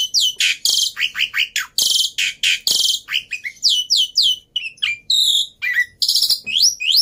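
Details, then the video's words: Loud, energetic black-winged myna song used to stimulate silent mynas: harsh buzzy bursts alternating with clear descending whistles and sharp chips in a rapid, varied stream. "Burung Jalak Putih Gacor || Cocok Buat Pancingan Burung Jalak Mandek | Macet Bunyi"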